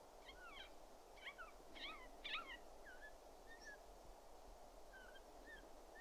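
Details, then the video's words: A Siberian jay (Perisoreus infaustus) gives soft whistled and mewing notes that slur up and down, several in quick succession, then sparser, over a steady low hiss. "Голоса птиц. Кукша (Сибирская сойка)"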